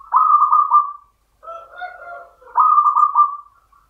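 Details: Champion local zebra dove in the Mataram rhythm: two rolling, pulsed coo phrases. Between them comes a quieter, lower, overlapping tonal cooing that sounds like a second bird.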